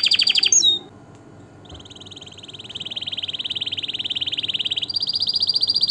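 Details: Canary song for stimulating breeding and tutoring young birds: a brief high trill, a quiet pause, then a long, steady rolling trill that grows louder and jumps to a higher pitch near the end.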